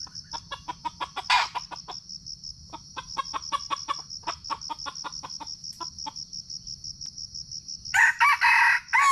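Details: Red junglefowl lured during trapping in Sumatra, captured on a GoPro: quick irregular sharp clucks over a constant high insect trill, ending in a louder harsh, rising-and-falling harmonic call.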